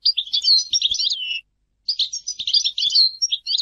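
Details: European goldfinch giving two twittering phrases of high, liquid chirps and slurred notes, each ending in a drawn-out falling tone, split by a short silence.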